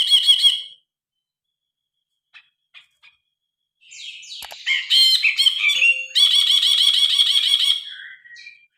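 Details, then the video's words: Grey-cheeked bulbul song recorded on a phone: loud harsh chattering phrases, a short burst, scattered faint notes, then a long buzzy rattling trill with rapid repeated harmonic pulses. "Suara burung brinji kelabu"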